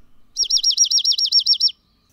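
Dark-eyed Junco song: a steady trill of about twelve identical down-slurred notes, fairly slow and lower-pitched, lasting under one and a half seconds.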